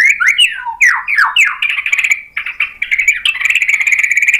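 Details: Agitated white-rumped shama, stirred into singing and displaying mimicked material, gives a string of slurred downward whistles, then settles into a fast, buzzy, steady trill held for about two seconds.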